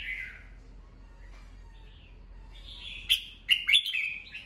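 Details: Morning song of a red-whiskered bulbul used to train birds: a quiet opening whistle, a pause, then a lively sequence of loud, sharp whistled and chattered notes toward the end.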